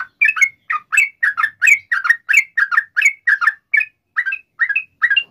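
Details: Yellow-vented bulbul in gacor, ropel panjang style, a long rapid song meant to lure other bulbuls into answering: bubbly, gurgling two-to-three-note phrases repeated over a second apart, with bright warbled notes and no other sounds.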